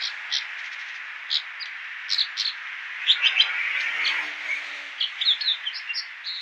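American dipper giving short, high, sharp notes in scattered bursts, some doubled or trilled, over a steady roar of rushing water.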